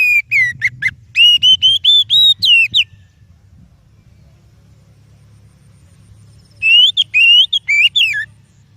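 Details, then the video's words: Oriental magpie-robin song for luring other birds: a fast chain of loud whistles that rise in steps over about three seconds, a quiet gap with low rumble, then another slurred whistled phrase. "Suara Burung Kacer Yang Sangat Indah,Cocok untuk Pancingan"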